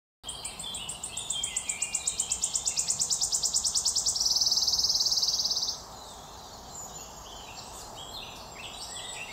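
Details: Wood warbler singing in 2022: an accelerating series of high, repeated ticking notes that speeds into a dry shivering trill, then a sustained buzzy trill, over faint background chirps.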